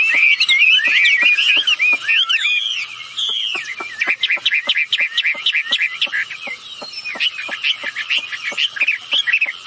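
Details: Male and female wambi birds in lively voice, kept as a lure to prompt other birds to answer; high, twisting whistles at first, then quick repeated chirps over a steady patter of dry clicks.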